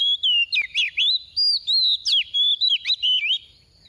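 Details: Soft-voiced oriental magpie-robin decoy delivering 'tìu tíu tiu' song to spur other birds to sing: sharp, sweet whistled phrases, some dropping steeply, others swooping upward, repeated quickly before fading out.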